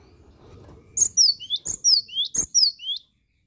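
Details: Cinereous tit (gelatik batu) singing: a quick series of about six sharp, high whistled notes, each sliding steeply downward, paired in rapid rhythm over two seconds after a quiet low rumble.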